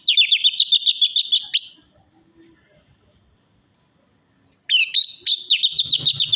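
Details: Rapid strings of high chattering notes from an orange-headed thrush, used as a lure to get a quiet or stressed bird singing. The sound comes in two dense bursts with a quiet gap, with faint low rumbling at the end.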